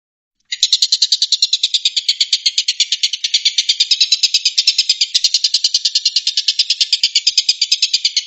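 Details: After a brief silence, a long-tailed shrike (tengkek buto) breaks into its 'tembakan' song: a sudden, sustained volley of harsh, buzzy notes repeated rapidly and steadily until the end.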